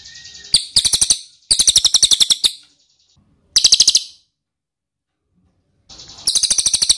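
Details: Ashy tailorbird lure call: short, insistent bursts of quick, high, metallic chips, each burst a second or less, separated by silent gaps, with a soft high buzz leading into some bursts.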